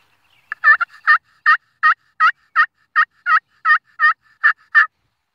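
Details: A wild turkey gives a long run of about a dozen rapid, rattling gobble notes, steady in pitch and spacing, preceded by a couple of softer clucks, in otherwise quiet surroundings.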